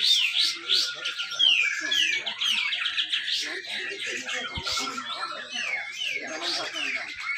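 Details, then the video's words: Grey-cheeked bulbul, caged at a Malinau, North Kalimantan contest, singing busy 'besetan rapet' song of quick whistled slurs and harsh squawky notes, with other contest birds and a few thuds in the background. "cucak jenggot besetan rapet"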